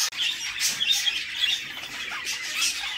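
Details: Budgie chicks in their nest box being fed by the female, producing a hoarse, buzzy begging chatter that rises and falls in short surges, with a brief click at the start.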